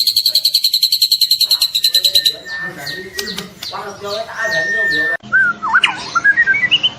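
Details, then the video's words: Young white-rumped shama with a fast high trill, followed by a mix of lower chattering and murmuring sounds, then a few looping whistled notes. "Murai batu trotol Gacor"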